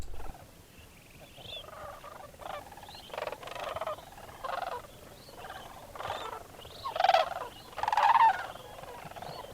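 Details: Large wintering flock of sandhill cranes at dawn, flying out from an overnight roost on a frozen wetland pond at Bosque del Apache National Wildlife Refuge, New Mexico; rolling, trumpeting rattles from many birds overlap, louder bursts near the end.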